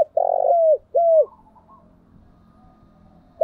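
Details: Spotted dove decoy call used to lure wild doves: two loud hoarse coos near 600, the second ending in a falling slur, then quiet low murmurs before another coo begins.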